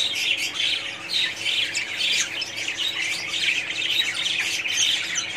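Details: Many budgerigars in a colony calling at once, an unbroken wall of scratchy warbling and squawky chirps that swells and dips in loudness without pause.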